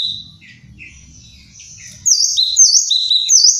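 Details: Kinoi calling loudly. Soft, scattered high notes over a low rumble come first, then strong whistled phrases, each a high swooping note followed by a lower steady whistle, repeated about every second.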